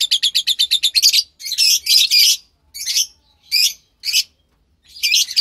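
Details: Two lovebird chicks bred from white pastel violet and pastel mauve parents, recorded March 3, 2021. Seven fast, evenly spaced raspy pips lead into longer harsh screechy calls, then single scratchy bursts separated by short silences.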